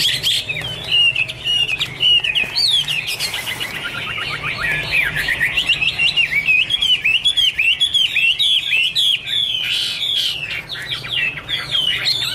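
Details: Singing Chinese hwamei, recorded in 2017 and said to dance while singing, delivers a long, fast stream of clear whistled notes that swoop up and down, joined by harsher scratchy bursts and a faint low hum beneath.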